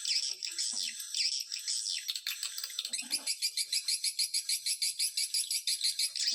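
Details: High, shrill swiftlet twittering from a Dara Nante lure recording meant to draw swiftlets in; chatter settles into a steady train of rapid, evenly spaced clicking pulses, about three each second.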